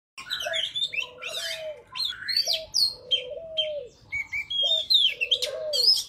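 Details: Oriental magpie-robin forest-style song, used for trapping and for tutoring young birds: bright high whistles and slurred notes mixed with a repeated lower, slightly falling whistled tone near the bottom.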